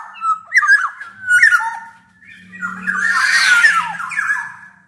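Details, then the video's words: Black-naped oriole tutor and lure recording. It opens with short fluty whistled notes, then gives a longer harsh, scratchy squawking burst mixed with whistles. A low hum sounds beneath. "KICAU SUARA MASTERAN DAN PANCINGAN BURUNG KEPODANG EMAS GACOR"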